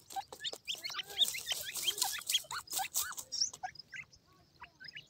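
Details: White chicks of grey francolin playing with their feed, giving a busy stream of short high chirps and upslurred peeps, overlapping and irregular, with soft clicks and rustles between them.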